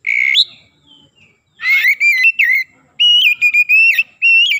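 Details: Oriental magpie-robin (kacer) singing gacor to stir up other magpie-robins: an opening whistle that rises at its end, a pause, then two bright phrases of sustained, gently wavering whistled notes.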